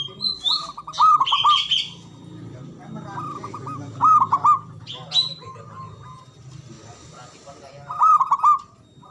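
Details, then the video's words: Loud, long-breathed song of a local Javanese zebra dove, played to stir mute or lazy doves into singing: repeated rolling, stuttering coo phrases, about four bursts, against higher chirps and trills from other small birds. "Pancingan Ampuh Pendongkrak Perkutut Bisu🔇 Malas Bunyi🔊 Bikin Rame"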